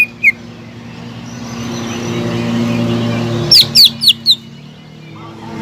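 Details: Greater green leafbird lure song: a single sharp whistle, a pause filled with low rumbling, then four quick, loud downward-slurred whistles in close succession.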